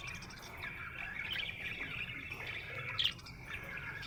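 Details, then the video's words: Happy budgerigar softly chattering in a low-key buzzy warble, with one brief sharp squeak near the end, over a faint hum. "Happy budgie chirping sound"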